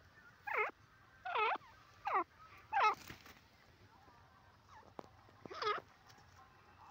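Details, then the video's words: Francolin uttering a series of five or six bent, nasal notes, the first four close together under a second apart, then a gap before a final note, with faint background hum. "Teetar ki awaaz part 18"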